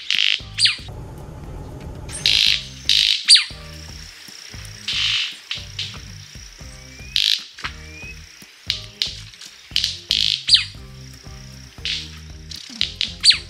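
White-bearded Manakin giving loud, sharp snaps and short buzzy bursts at an irregular pace, over a thin, steady high-pitched whine.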